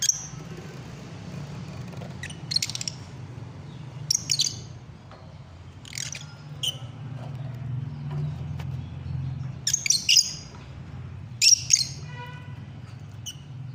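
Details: Lovebirds giving short, shrill, harsh squawks in separate bursts every one to two seconds, some doubled, over a steady low hum.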